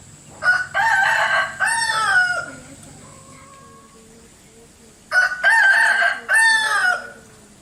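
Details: Bangkok chicken rooster giving a strange, unusual crow twice, each a loud, hoarse, broken call of three choppy segments lasting about two seconds, separated by a quiet pause with faint background hum.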